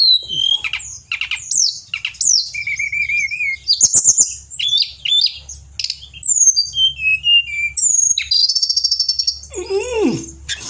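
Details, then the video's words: Ten seconds of varied song from a vigorous Pied bushchat used to tutor cage birds in Indonesia: quick chips, wavering whistles, downward slurs and a buzzy rattle near the end, delivered in rapid, irregular phrases. "Tledekan Gunung Gacor"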